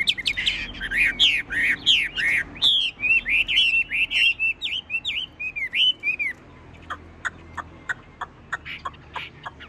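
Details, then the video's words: Song of a tame caged Chinese hwamei, described as singing nonstop like a machine: a rich run of looping, swooping whistles with bright overtones, then a sparser stretch of short, sharp chips. "Họa mi thuần đét đẳng cấp hót như máy bộ cực đẹp lắc lồng vẫn hót"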